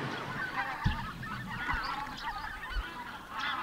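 Greater White-fronted Geese call in a noisy chorus of overlapping, high, yelping honks, several birds at once, with low thumps and background rumble.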